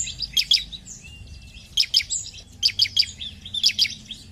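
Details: Energetic 'gacor' song of a bar-winged prinia, used to prompt other birds to sing: brief clusters of two to four piercing, high chips separated by gaps of under a second.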